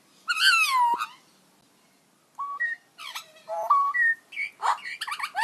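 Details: Magpie producing unusual robot-like sounds, beginning with a loud falling harmonic whistle, then after a pause a string of short whistles, clicks and a rapid buzzy trill.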